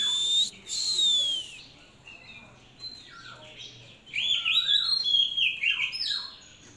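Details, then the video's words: Hand-reared Oriental magpie-robin singing bright, varied whistles: a high descending phrase, then a burst of rich warbled notes after a short pause. "chòe than hót tốt"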